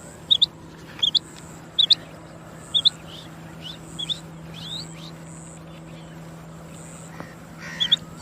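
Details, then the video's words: Female quail calling: short paired high chirps, each pair quick and bright, repeated about every second, growing fainter later, with a steady low hum and a faint high whine behind. "مادہ بٹیر کی آواز //بٹیر کی آواز / female quail song"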